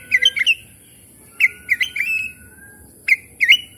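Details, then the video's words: Oriental magpie-robin song used to get quiet, stressed birds singing, with clusters of bright slurred chirping notes in short phrases and a brief pause mid-way over a thin background hum. "cukup skali pancing kacer macet stres malas bunyi langsung gacor"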